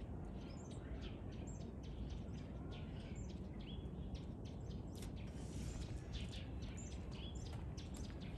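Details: Two white-cheeked starlings on 17 February 2023 trade busy, overlapping high chirps and harsh squeaks in quick succession against heavy low-pitched background noise.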